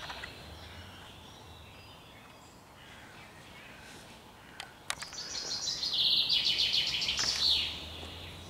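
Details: Common chaffinch song recorded 20 June 2021. After a quiet stretch with faint distant chirps, a single strong phrase rings out: a fast, high trill of repeated notes that ends in an abrupt flourish.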